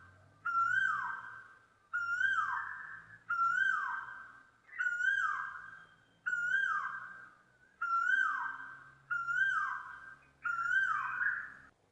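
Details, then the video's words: Asian koel singing a loud, clear, rising two-part whistle, repeated steadily about every one and a half seconds, eight times, against a quiet background. "Canto de Asian Koel - Som de Asian Kooel Birds"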